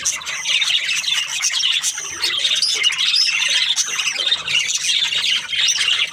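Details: Budgerigar breeding pairs keep up a constant high twitter, with rapid overlapping chirps and occasional harsher squawks throughout.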